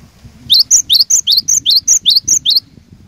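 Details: Persistent song of a cinereous tit used to lure and challenge rivals: roughly ten crisp notes in regular alternation, a high level whistle and a lower swooping note, over faint low background noise.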